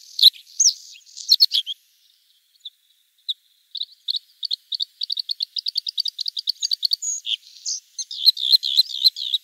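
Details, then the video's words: Bluethroat song: bright, varied phrases high in pitch, then a long run of rapid, evenly repeated ticking notes that speeds up, ending in fast, warbled, twisting trills. The background is quiet. "Варакушка (Luscinia svecica) - голос"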